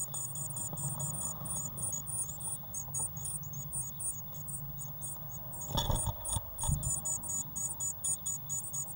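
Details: Eurasian blue tit chicks in a nest box on 1 June 2016, growing fast: rapid, very high, thin squeaky calls repeated in quick bursts, with a few knocks and bumps around the middle and a low background hum.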